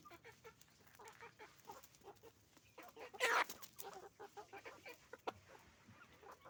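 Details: Chicken farm flock of roosters and hens, many overlapping short clucks in quick succession, broken by one loud harsh squawk midway, then the busy clucking chatter resumes.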